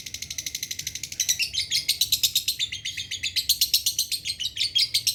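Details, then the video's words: Dry-voiced lovebird song used as a lure: quick, shrill chatter that starts as even rapid pulses, then turns louder and rougher, with uneven bursts of high notes packed closely together. "pancingan Lovebird suara kering"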